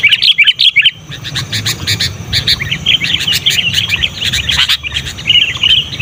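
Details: Sooty-headed bulbul calling hard and loudly to attract wild bulbuls: a fast, chattering string of bright chirps and warbles runs almost without pause. Sharp clicks and a faint low rumble sound behind it.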